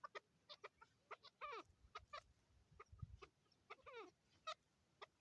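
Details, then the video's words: Chukar partridges, male and female, in Swat, Pakistan, 2022, giving fairly quiet scattered clucks. Two short runs of downward-sweeping chuk notes stand out, with faint human voices behind. "Chakor Sound in swat Pakistan/Pakistan national bird Male and female chakor"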